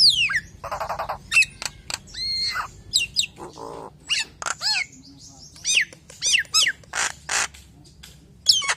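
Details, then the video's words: Common hill myna full varied song, a lure for other hill mynas: rattling buzzes, a harsh nasal burst, sharp falling whistles and loud squawks in an irregular sequence. "JALAK NIAS SUARA FULL ISIAN NEMBAK NEMBAK||PALING JOS BUAT PANCINGAN JALAK NIAS YANG LAIN!!"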